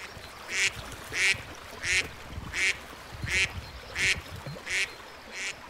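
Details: Pond duck quacking steadily: single loud, rasping quacks repeated roughly every two-thirds of a second against a low background rumble.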